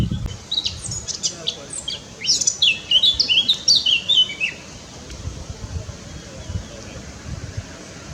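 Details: Eurasian blackcap (Sylvia atricapilla) singing on the Polish coast during a walk from Gdynia along the Hel Peninsula in late May: a rich, fast, fluty warble lasting about three seconds, over low wind and handling rumble.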